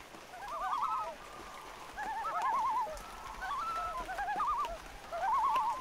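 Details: Loons calling in light rain: repeated wavering, quavering tremolo phrases, some overlapping at two pitches, recurring every second or two over a soft hiss of rainfall.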